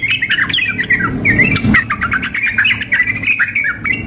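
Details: Female sooty-headed bulbul calling a male, mixed with a highly excited male in full song; fast, harsh chattering and squeaky phrases in an unbroken stream, over a faint low hum.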